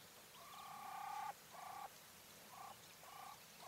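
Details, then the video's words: Female English White Coturnix quail giving soft, level tonal notes, a long drawn note that swells in loudness, then shorter notes repeated after brief pauses; faint background hiss. "Quail call sounds | Female / Hen"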